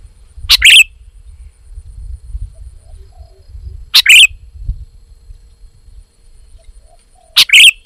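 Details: Sooty-headed bulbul in lively voice, giving three single sharp chirps spaced several seconds apart, with quiet low background rumble.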